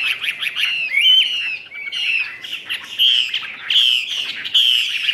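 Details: Chinese hwamei kept in a cage in Vietnam, a 'ngũ trường' singer that fans its tail fully, pours out a continuous run of bright whistles, quick trills and slurred notes with hardly a break.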